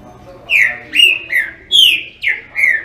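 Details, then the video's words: Green-winged saltator singing a phrase of six loud, clear whistled notes. Each note slurs downward, and the notes come at roughly half-second intervals against a quiet background. "TRINCA FERRO CANTADOR"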